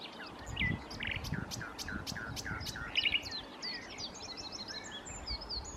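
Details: Common nightingale singing at Challow Hill, Corfe, on 4 May 2015: varied high phrases of whistles, rapid repeated notes and sharp trills, with low rumbling background noise and other birds faintly audible.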